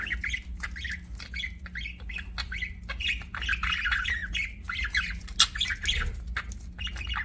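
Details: Several pet budgies keep up a dense, restless chirping, harsh squawks and warbled notes following each other roughly twice a second, with low hum throughout.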